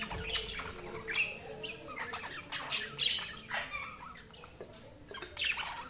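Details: Budgies chatter quietly and continuously, a run of scratchy, buzzy warbled notes and short squeaky chirps with no long pauses, set against faint background hiss.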